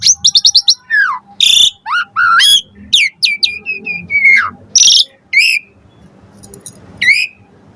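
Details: Varied lure song of an Asian pied starling, played to prompt starlings to answer: rapid chips, down-slurred whistles, a harsh burst, a long descending whistled glide, then quieter gaps with one final rising note.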